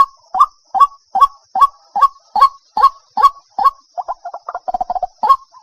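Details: White-breasted waterhen calling at night in August in Vietnam: a mid-pitched, hoarse, nasal note repeated steadily about twice a second. It turns into a quicker, stuttering run of shorter notes before the regular rhythm resumes, over a faint steady high hum.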